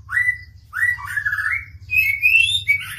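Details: A White-rumped shama, described as ready for breeding, sings three rich, sliding whistled phrases in three seconds, each climbing higher than the last, over a low steady hum.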